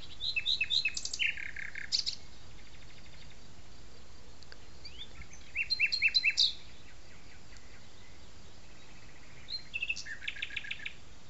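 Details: Common nightingale singing over an arboretum, La Petite Loiterie, France: short phrases of sharp whistles, rapid chattering trills and a buzzy rattle, separated by long pauses, with faint background hiss.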